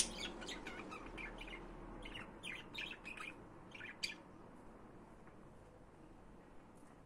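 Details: Budgerigar chatter: quick series of bright chirps and warbles during the first four seconds, fading afterward to quiet background hum with only faint notes.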